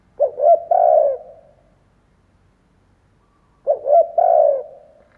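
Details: Vietnamese decoy spotted dove cooing to provoke wild doves: two repeated phrases roughly three and a half seconds apart, each a quick stuttering pair of hoots followed by a sustained low croo.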